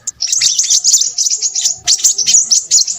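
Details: Crimson sunbird (sepah raja) in busy, noisy song: a rapid stream of very high, thin twittering and chipping notes, almost unbroken, with short sharp buzzy accents and a brief pause near two seconds.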